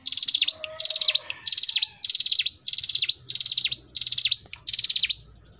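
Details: Long unbroken run of hill prinia song: eight buzzy pulsed phrases with falling ends, repeated about every 0.65 seconds, sung 'gacor ngebren'. A faint low whistle and a soft hum sit behind it.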